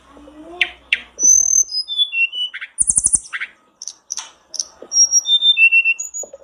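A blue flycatcher gives a lively run of clear, high whistles, with sliding downslurred notes and brief buzzy trills, delivered in quick bursts with short pauses.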